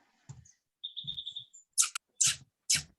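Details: A euphonia calls in the dark at Arenal Observatory Lodge, in mid-elevation forest and gardens on the lower slopes of Arenal Volcano, Costa Rica: a quick string of clear, high, even notes, then harsh rustling bursts and faint low murmurs.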